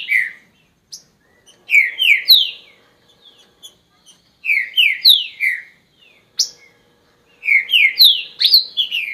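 Green-winged Saltator singing loud, rich whistled phrases of three or four slurred notes, repeated every few seconds, with short high chips between them against a quiet background.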